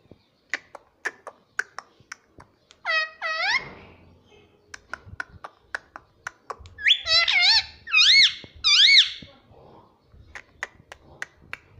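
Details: Pet parrot talking, saying "mummy": steady soft clicks and taps, then a short wavering, voice-like utterance near three seconds and three rapid, warbling word-like bursts between seven and nine seconds.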